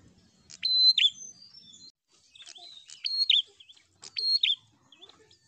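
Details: Prinia song aimed at provoking a rival: three uneven phrases, each a high steady whistle sliding into a buzzy fall, with softer twittering notes between.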